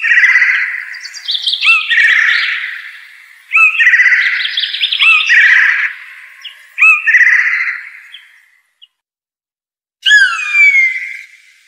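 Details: Blue jay (Cyanocitta cristata) giving a run of harsh, buzzy, grating calls in uneven bursts. After a pause comes one clear, ringing whistled note that drops in pitch. No other sounds.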